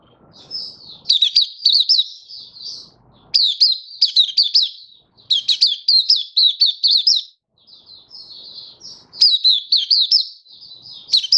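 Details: Malaysian white-eye kept as a cage bird in Singapore, warm sunny weather, 20 March 2023, delivering long runs of thin, high, quickly warbled notes, phrase after phrase with brief gaps, faint low room noise between.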